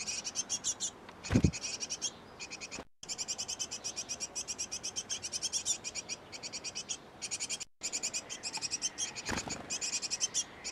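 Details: Great tit nestlings in a nest box tended by both parents; a continuous chorus of thin, very high chirps repeats in fast regular pulses, interrupted by two brief gaps and a couple of dull knocks.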